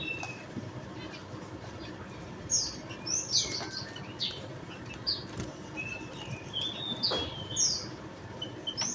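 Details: Javan munias (Lonchura leucogastroides) give short, thin, high chips and squeaky notes, scattered irregularly over several seconds, with soft rustling and wing flutters underneath.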